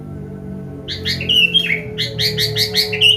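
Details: Medan white-rumped shama singing a varied combination song, used as a lure to coax learning birds into song: a rapid string of bright, high chirped notes repeated several times a second over a low background hum.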